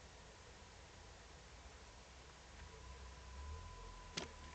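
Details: Steady low rumble and broadband hiss with a faint continuous hum, broken only by a single sharp click near the end; no animal voice is heard.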